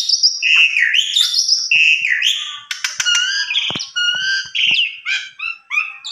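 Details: Javan pied starling lure song meant to provoke a quick response, full of varied fills: rapid run of loud whistled and slurred notes, some rising and falling, broken by harsh clicks and brief buzzy bursts.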